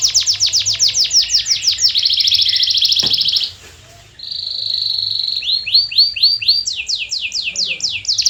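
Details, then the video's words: Canary lure song for silent birds: a fast trill, a buzzy steady tour, a brief hush, then a pure whistle, arched notes and a series of descending sweeps. "Is Your Canary Silent⁉️🤫 Try This MAGICAL LURE for 5 Minutes!"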